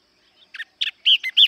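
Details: Short burst of yellow-eyed babbler song, with a few buzzy notes building into three loud, arched, ringing chirps.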